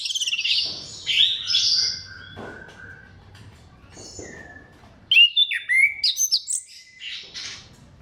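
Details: Orange-headed thrush singing to prompt other thrushes: buzzy high phrases, a long steady whistle, then after a quiet gap a burst of sharp rising and falling whistled notes, with a low hum beneath.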